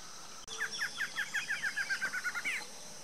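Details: Duet of a Barred antshrike pair in Brazil: about fifteen short hooked notes delivered in a quickening series, running into a fast rolling trill that ends abruptly, over a constant background hiss.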